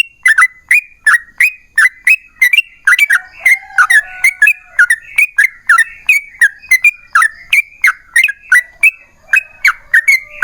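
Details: Yellow-vented bulbul delivering long rapid song ('ropel panjang'), used to provoke other bulbuls to sing; about three bubbly whistled notes per second, steady over ten seconds, with a faint lower whistle midway.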